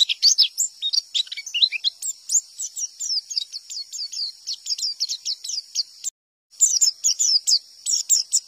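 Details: Wild white-eye singing in the "tembakan" style, meant to make other white-eyes answer. Rapid, very high chattering chirps and short twittered notes run continuously, broken by a brief silent gap near the end.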